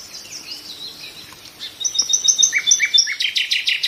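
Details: Nightingale song that starts with thin, drawn-out high whistles, then moves to a quick series of bright, clipped repeated notes and ends in a fast run of sharp descending strokes.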